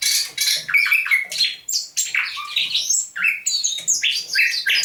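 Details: At dawn indoors, a thrush nightingale caught near Saint Petersburg in May 2019 sings on 27 November 2021: quick alternating whistled notes, some held level, others sweeping down, mixed with harsh buzzy bursts in a continuous stream.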